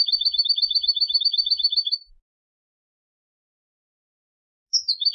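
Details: European goldfinch (Turkish goldfinch) singing in Istanbul, Turkey: a fast, high, tinkling trill of paired notes for two seconds, then a pause before a sharp downslurred note restarts the phrase.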